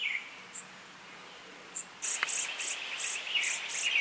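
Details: Brown-headed cowbird chick raised by song sparrow foster parents; after two seconds of near quiet, short high buzzy bursts repeat rapidly, about twice a second, over a lower chattering twitter.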